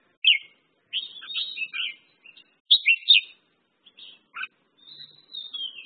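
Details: Red-whiskered bulbul with cheerful, liquid warbled phrases, two loud clusters of notes followed by a sharp call and a drawn-out descending whistle at the close, against a quiet background.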